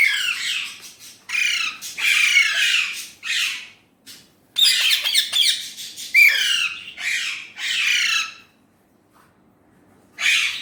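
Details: Indian ringneck parrot said to be talking in Urdu/Hindi, giving harsh, raspy bursts of speech-like syllables in quick clusters with brief pauses, ending with a short gap of near silence before one last burst.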